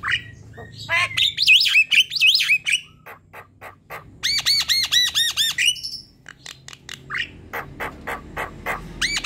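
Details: Javan myna singing actively, used as a lure to prompt other Javan mynas to sing, in a style called manggut sambung ngerol panjang: whistled rising-falling notes, harsh clicks, then a fast run of arched ringing notes and scattered chacks.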